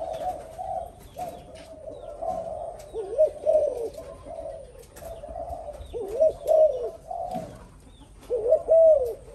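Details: Newly kept spotted dove finally cooing in an old trap cage: low, soft hooting coos in short repeated phrases, several rising-falling notes grouped together, with louder bursts near the middle and end and faint chirps in the background.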